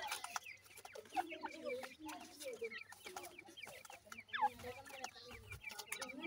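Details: Francolin chicks keeping up a dense chorus of brief, high, slurred peeps, many callers overlapping, with soft lower voicing underneath and a few sharp taps.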